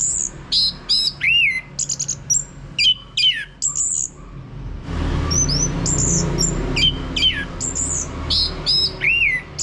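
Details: Continuous orange-headed thrush song, played to start a male singing ngeplong: dense, varied strings of high whistles, chips and sliding notes with short pauses, and louder low background noise in the second half.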